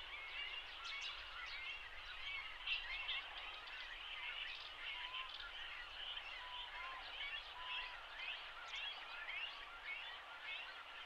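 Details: Begging great cormorant chicks, almost adult-sized, being fed at a joint colony with grey herons on a riverbed in Shinetsu, Japan, late May; many scattered short squeaks and chirps overlap in a busy chorus, with a few lower upslurred notes.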